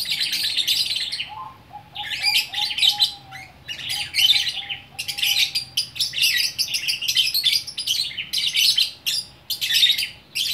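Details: Lovebird from Bukittinggi, West Sumatra, delivering a long 'gacor orkestra' song: sustained, harsh, high-pitched chattering and rasping twitters in extended phrases separated by short breaks, with a faint low steady hum beneath.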